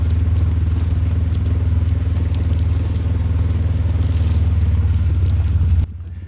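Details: A man speaks over a loud, steady vehicle engine rumble that cuts off abruptly near the end, leaving quieter background hiss.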